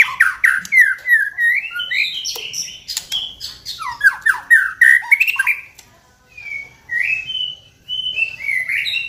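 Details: Kept white-rumped shama song used as a lure to make another shama sing and become agitated: rich, varied whistled phrases, rising and falling slurs with fast trills and some harsh notes, pausing, then resuming with softer upward whistles.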